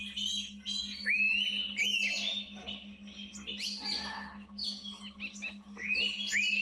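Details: Indian pitta calling in natural tropical forest: bright upslurred whistles recurring through a busy chorus of chirps and squeaky notes from other birds, with a steady low hum in the background.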